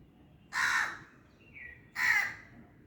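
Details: Crow calling with two harsh, raspy caws about a second and a half apart, plus a soft whistled note between them.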